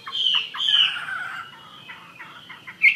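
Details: Chinese Hwamei singing actively: a loud slurred whistled phrase, then softer short notes and a murmured stretch, with a sharp bright note at the end.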